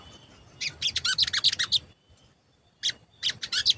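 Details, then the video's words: Sooty-headed bulbul, a lively singer used as a lure to make other birds of its kind sing, grow excited and answer, giving rapid 'cuit cuit' chirps in two quick bursts about four per second, separated by a short pause. "Pancingan Sogon Agar Bunyi dan Emosi, Sogon Bahan Auto Nyaut"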